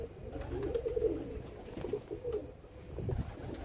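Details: Domestic pigeons kept by their owner, cooing: low, soft rolling coos repeated through the clip over a murmuring background, with a faint room-like ambience.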